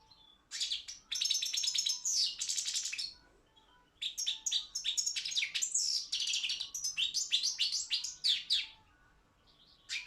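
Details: European goldfinch, Carduelis carduelis balcanica, singing in an internet world song championship: two long, fast phrases of tinkling twitters, trills and buzzy notes separated by a short pause.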